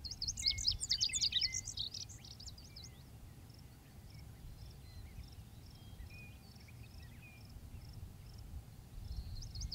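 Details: Male lazuli bunting singing: a quick, high, jumbled phrase of varied chirpy syllables for about two seconds, followed by a steady background of evenly spaced high insect pulses and scattered faint bird notes.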